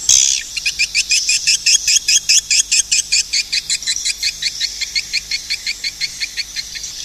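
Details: Swiftlet call: an opening buzzy note followed by a rhythmic train of clipped, high chirps, about two or three each second, slowly fading toward the end.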